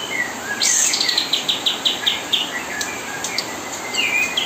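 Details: Kapas tembak singing nonstop as mastering for speckled juvenile white-rumped shama; a quick run of about eight evenly spaced, high, bright notes, followed by short whistled slurs, against a hissy background.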